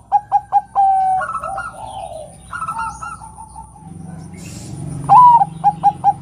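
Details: Calling female Zebra dove (perkutut, Bangkok type) meant to set males singing: the last quick notes and long coo of one phrase, softer cooing from other doves in between, and a new rising note with staccato coos at the close.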